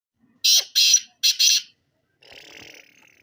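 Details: Black francolin calling: four loud, harsh, grating notes in quick succession, the first two close together, then a short gap before the last pair, followed by a faint scratchy rustle.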